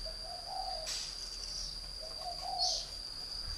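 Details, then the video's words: Caged spotted dove from northern Vietnam, a three-year decoy bird, giving two soft low cooing phrases, each a short run of rising and falling notes, over a steady high insect-like whine. "chim cu gáy hay miền bắc Mồi 3 năm Lồng"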